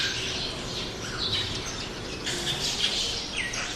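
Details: Mixed roadside birds, including sparrows, chirp and twitter together in busy overlapping bursts of high notes, with steady low background noise.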